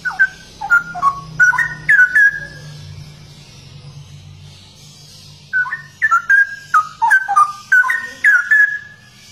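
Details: Straw-headed bulbul (cucak rowo), a rare bird prized for its unique song, singing two bursts of loud, rich whistled notes that slur up and down, separated by a pause, with a low hum underneath.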